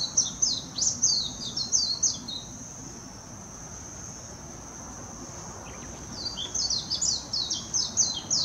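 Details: Song of a warbling white-eye in Hashimoto, Wakayama, Japan, 26 June 2021, on a Nikon Coolpix P900: quick, bright twittering phrases of downslurred notes opening and closing the stretch, a hushed middle, and a steady high drone throughout.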